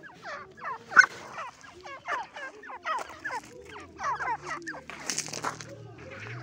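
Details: Irani teetar francolin calling: a steady run of short, clipped, rising-and-falling notes in quick series, overlapping as if several birds, with a low hum and a burst of hiss late on.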